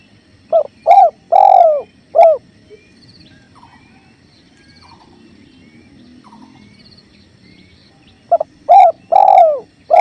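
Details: Spotted dove with river flow: a burst of three or four mellow coos, then several quiet seconds of water sound and faint distant chirps, then another cluster of coos at the end.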